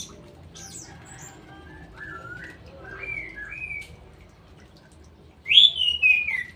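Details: Captive straw-headed bulbul singing soft, scattered whistled slurs for several seconds, then bursting into one loud, clear falling whistle phrase near the end, against quiet low hum.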